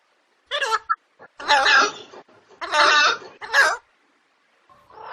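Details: Indian ringneck parrot giving harsh, raspy squawks in short broken bursts, four main calls over about five seconds separated by brief silences, with a faint softer call at the end.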